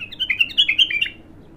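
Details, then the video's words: ['Untrained bulbul on its first singing: one brief, bright, loud phrase of six or seven fast, slurred, warbling notes running together.'] "تغريد الابتر خام اول فتحـه له"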